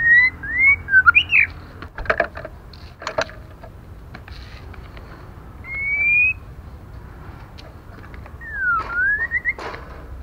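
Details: Female white-rumped shama whose calls stimulate males: a quick run of looping whistles, then a long rising whistle and a final down-then-up slur, broken by several sharp tapping clicks.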